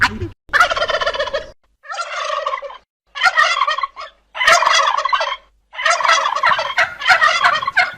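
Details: Repeated gobbles from a turkey: coarse, bubbling rattles lasting around a second, delivered in a series with brief pauses between them.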